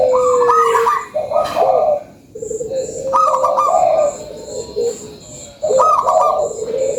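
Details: Local zebra dove in full voice giving lure song: three rolling trilled phrases, each a quick high flutter dropping into a longer low purring coo, separated by short quiet pauses.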